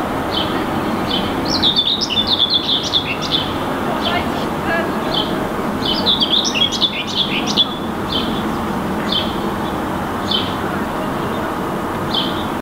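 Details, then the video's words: Common Whitethroat perched atop a tree in Helsinki, Finland, in May 2019, singing brief scratchy, chattering warbles of about two seconds with short high notes between phrases, over a steady traffic-like rumble. "Common Whitethroat perching on the tree, singing"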